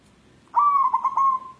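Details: White local zebra dove calling restlessly while looking for a mate: a single clear whistled coo that starts abruptly, breaks into a few quick stuttering pulses, then trails off as a level fading trill.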